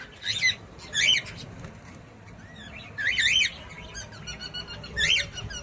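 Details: Pet cockatiel producing repeated short, wavering chirp phrases about once per second, with wing-flutter and soft household background.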